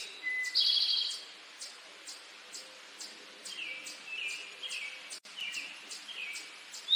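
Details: A male Eastern towhee sings its "drink your tea" song: a bright, buzzy trill after a short lead-in note, followed by fainter trilled phrases. High chips and ticks from other birds sound throughout.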